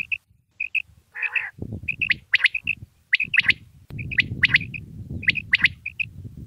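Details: Quail voice from a Mianwali cassette played for hunting: short paired high notes alternate with bursts of sharp chirps, about one group a second, over low rustling background noise.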